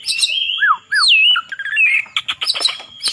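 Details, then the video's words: Oriental magpie-robin in competition singing meant to provoke rivals: a loud run of whistled, sweeping phrases with rising and falling slurs, then rapid sharp chattering notes, clean with little background. "Kacer Poci Nembak Ngeplong Gacor Ngobra Bikin Lawan Emosi"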